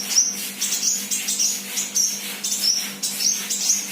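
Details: Active young untrained sunbird giving a run of sharp, high-pitched chirps, roughly one every half second, thin and slightly descending, with a constant low hum behind.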